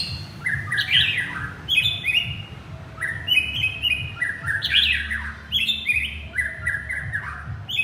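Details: White-rumped shama male calling to his partner: loud, varied whistled phrases in rapid bursts, some rising, some falling, with brief pauses between runs.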